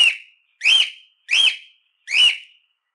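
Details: Cockatiel calling repeatedly as a training aid for cockatiels: four bright whistled notes, each sliding up then down, spaced about two-thirds of a second apart, with no other sounds.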